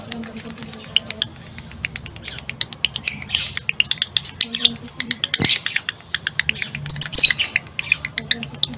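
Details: A male lovebird in breeding condition gives its long ngekek chatter, a rapid song of sharp high squeaks and clicks, about four a second, with a harsher squawking burst midway.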